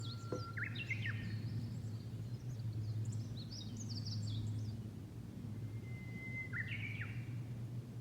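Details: Japanese bush warbler singing on a low mountain at Yugate, Japan; a long steady whistle followed by a quick rising flourish, then more twittering notes and a second whistle ending in a sharp phrase, over a constant low hum.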